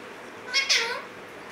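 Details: Indoor caged Alexandrine parakeet, part of a mated male and female pair, letting out one brief hoarse double squawk that bends downward.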